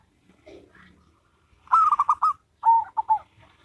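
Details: Local and crossbred zebra doves dueting. After faint soft sounds, one bird gives a quick run of bubbling coos, then a second phrase of lower, wavering coo notes follows close behind.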